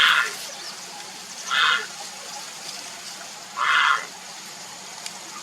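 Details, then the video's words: Grey heron calling to attract a mate: three short, coarse croaks about two seconds apart over a steady background hiss. "เสียงนกกระสานวลร้องหาคู่ Grey Heron call"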